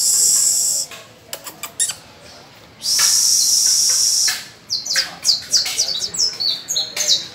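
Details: Domestic canary singing on the first of May while young pupil birds practise with it. Long, bright, high trilled rolls alternate with quick, separate chirped notes that rise and fall, then build into a rapid run of sharp, repeated notes.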